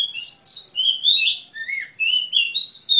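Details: Oriental magpie-robin (kacer) singing a loud, continuous run of clear whistled notes. The phrases slide up and down, mixing short chirps with longer slurred whistles, over a silent background.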